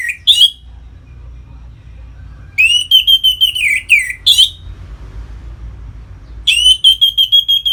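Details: Orange-headed thrush (anis merah) singing ngeplong phrases to stimulate captive birds toward breeding: short whistled notes and three bursts of rapid, even chirping separated by quiet gaps with low background hum.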